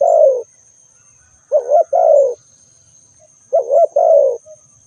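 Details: ['Spotted dove coos: a falling note, then two full phrases of a quavering note and a longer descending coo, roughly two seconds apart, with a thin steady high hum.']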